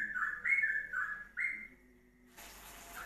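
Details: Yellow-vented bulbul, ropelan song for tutoring songbirds, heard more quietly: a few rich slurred whistles, then silence and a burst of hiss.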